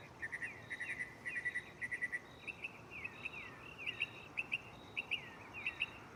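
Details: A mockingbird sings at night in a nearby tree, mixing its repertoire: short repeated chirp groups, then a run of looping, swooping whistled notes that rise and fall, repeated about once a second, with faint high ticks above and background hiss.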